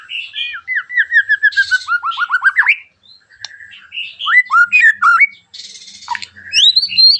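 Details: White-rumped Shama in full song, harsh sharp bursts meant to provoke other shamas to sing: a long descending run of slurred whistles, then varied rising whistles and rasping chatter, loud and close.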